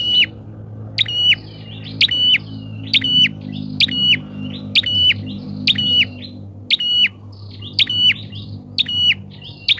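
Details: Bar-winged prinia lure bird calling loudly and steadily, a series of sharp high buzzy notes about one per second, with a low steady hum underneath throughout.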